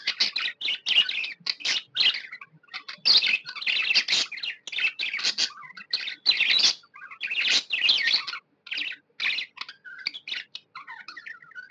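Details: Happy pet budgies chatter in quick bursts of harsh, buzzy chirps mixed with thin whistled notes, pausing briefly every second or so, with more than one bird calling.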